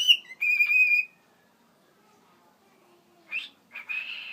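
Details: A pet cockatiel sings to the camera: a short run of clear whistled notes, then harsher chattering bursts.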